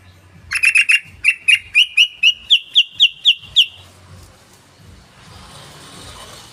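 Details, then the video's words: Sooty-headed bulbul lure call meant to provoke calling: a fast run of about thirteen sharp, buzzy notes, roughly four per second, edging slightly higher in pitch, then quiet with soft background hiss. "PANCINGAN SUARA BURUNG TRUCUKAN"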